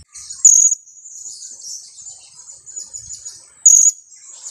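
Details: Two-week-old young blue-crowned hanging parrot, used as a lure: a thin, very high twittering runs throughout, broken by two loud, sharp piercing calls about three seconds apart.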